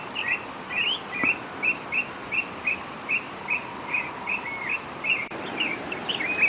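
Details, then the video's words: Northern oriole singing: a steady series of short, clear whistled notes, about two or three per second, with some slurred upward and downward inflections, over a faint background hiss. "El Turpial Norteño"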